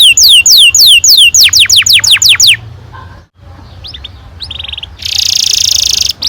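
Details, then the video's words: Domestic canary giving a long-rolling lure song for young birds. A run of curved whistled sweeps is followed by a near-silent pause with faint chips, then a dense buzzy high trill. "Kenari gacor NGEROL PANJANG cocok untuk PANCINGAN KENARI PAUD bikin BURUNG KENARI GACOR PANJANG"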